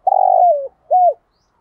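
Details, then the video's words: Lure spotted dove from Dak Lak, Vietnam, calling to attract rival males; a long vibrating coo that glides down, followed by a short arched coo, clear against silence. "Cu gáy mồi 5 củ/ chim mua trên dak lak"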